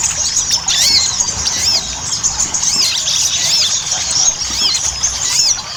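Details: Ruby-cheeked sunbird singing in a busy chattering style, a lure for prompting sunbirds to sing: thin squeaks and distinct arched notes recurring irregularly, roughly every second or two, over constant high twittering.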